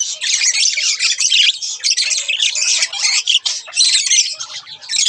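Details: Two budgerigars, a pair, keep up dense, harsh squawking chatter with rapid twittering notes run together almost without pause.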